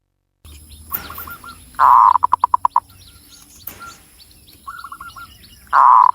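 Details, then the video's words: Zebra dove of the local Java type, Cilacap, Central Java: buzzy rolling coo bursts and soft hooked phrases over a hissy, noisier background with faint high chirping from other birds. "SUARA BURUNG PERKUTUT LOKAL JAWA GACOR"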